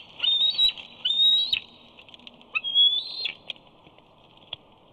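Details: At Big Bear on 2 August 2019, a young eagle squees as it tries to enter the nest for the parents' fish: loud, piercing whistled squeals, slightly rising, in bursts of about half a second, then a few soft clicks.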